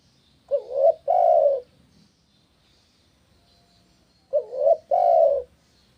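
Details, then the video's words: Spotted dove cooing in a recording meant to get other doves to answer. Two mellow phrases about four seconds apart, each a short rising note followed by a long, full coo. Faint background hum. "Terkuku mana yang ngak nyaut dengan terapi suara Burung Tekukur ini"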